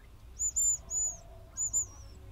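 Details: Hazel grouse calling: thin, very high whistled notes, two drawn-out whistles followed after a pause by a third that slides downward into a short trailing flourish, over a faint low rumble.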